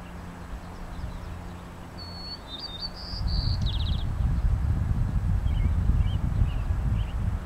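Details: A migrant White-crowned sparrow at French Creek, Vancouver Island, BC, on 4 May 2010 sings one short, high phrase unlike local breeders' song: a clear whistle, a few jumbled notes, then a buzzy trill, over a low traffic-like rumble.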